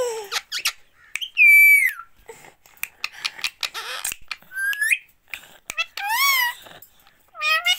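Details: Parrot giving a mix of loud whistled, slurred calls that rise and fall, with harsh squawks and clicking sounds between them, indoors.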